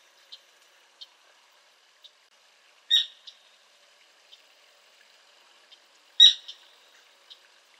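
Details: Sora giving two louder sharp high calls about three seconds apart, with soft scattered ticking notes in between, against a quiet background.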